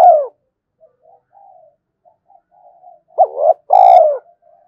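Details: Spotted dove decoy calling wild doves to fight: the tail of one coo, soft humming notes, then a clear two-part coo, short rising then long falling, with a faint high squeak over it.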